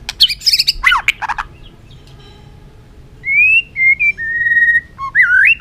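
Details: White-rumped shama opening with a quick burst of warbled notes, then after a pause a string of pure, sustained whistles, level and gently rising, ending in an upward flourish.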